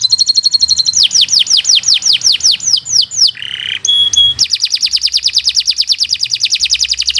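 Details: Canary master song for tutoring birds: a steady series of high falling whistled sweeps, a short low rasp, two clear level tones, then a long, fast even trill of repeated notes.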